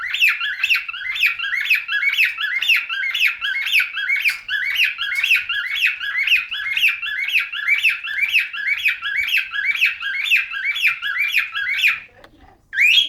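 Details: A cockatiel sings a fast, repeated run of bright whistled chirps, trying to court another cockatiel that ignores it.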